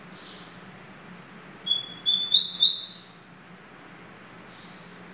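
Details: Caged double-collared seedeater singing: short high whistled notes, then a bright buzzy trill that slurs upward and downward around two and a half seconds in, with a faint low hum underneath.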